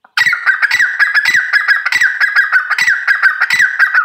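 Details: Grey francolin kept by its owner gives a loud, continuous series of strident, repeated notes, roughly two per second, each sharp and ringing with a steady pitch, sustained through the whole recording with no other sounds.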